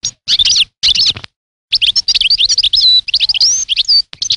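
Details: European goldfinch singing a fast, continuous twitter of bright tinkling notes and slurred whistles, after two short opening bursts and a brief pause, with no other sounds.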